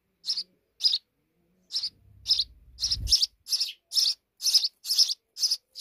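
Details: Sparrows nesting deep in a wall give a run of sharp chirps that speeds up toward the end, about a dozen notes, with a brief low rumbling noise in the middle.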